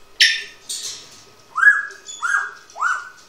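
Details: Indoors, a one-year-old pet grey parrot gives two harsh noisy bursts followed by three clear rising whistles, each sliding up and levelling off, spaced about half a second apart.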